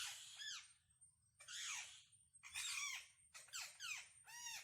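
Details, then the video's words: Parrots in the wild communicating: noisy rasping squawks mixed with downward-curving whistled notes, about one call a second, over a constant low rumble. "Unbelievable sounds of parrot -amazing wild parrot sounds"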